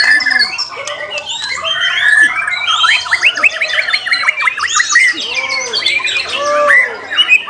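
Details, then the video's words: White-rumped shama delivering a long warbling song that builds into rapid trilled bursts and bright whistles, with rounded lower notes near the end. "MURAI BATU GALAXY"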